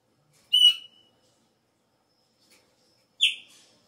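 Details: Chopi blackbird at the start of the season, when it changes its song: two separate clear whistled notes about two and a half seconds apart, each dropping slightly in pitch with bright overtones, over a silent background.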